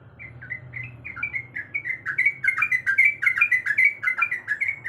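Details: A female sooty-headed bulbul in breeding condition calls a male with quick, spaced chirped notes that build into a denser, louder chatter of sharp overlapping phrases over a low background hum.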